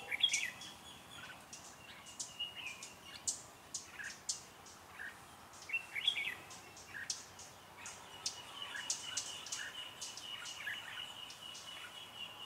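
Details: Red-whiskered bulbul decoy singing during trapping of wild birds on 16 January 2017, provoking wild rivals to fight; short bright chirping phrases repeat through the clip over a steady hiss of background noise.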